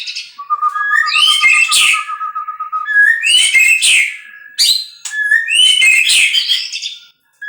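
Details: White-rumped shama singing: a long steady whistled note, then bursts of rich, varied phrases with rising whistles and buzzy, chattering flourishes, delivered in loud rapid sequences with brief pauses.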